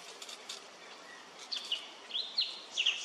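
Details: A male Indochinese blue flycatcher (Cyornis sumatrensis) at Khao Yoi arboretum, Phetchaburi, Thailand, on 13 May 2023, gives a few short, sharp, high notes in quick succession over a steady soft hiss of forest background.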